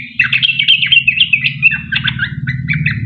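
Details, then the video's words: Long-running 'ropel' song of a sooty-headed bulbul, played as a lure to prompt other bulbuls to call. Quick bubbling chirps tumble one after another, about four per second, over a steady low droning hum. "Trucuk gacor ROPEL PANJANG buat pancingan trucukan agar bunyi"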